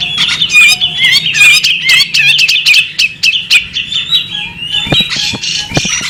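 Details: Female bearded magpie robin delivering quick chirping, twittering notes with short squeaky whistles, dense at the start and thinning later, with a few soft taps near the end.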